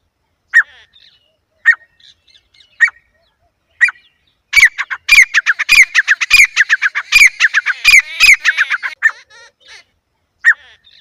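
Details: Grey francolin calling: four single harsh notes spaced about a second apart, then a loud rapid run of repeated grating, clicking phrases for roughly four seconds, trailing off into softer notes and one final single call.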